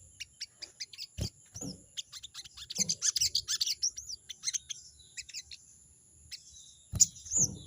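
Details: Crested jay calling to a rival, a rapid chattering 'crecet' series of sharp high notes over the first five seconds, followed by quieter scattered notes, with knocking thumps and a steady high electronic whine throughout.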